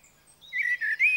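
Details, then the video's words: Common blackbird (Turdus merula) singing in Sweden: a brief phrase of mellow, warbling mid-pitched notes in two or three quick bursts, preceded by faint thin high tones. "Koltrast / Turdus merula / Common Blackbird / ljud - sound"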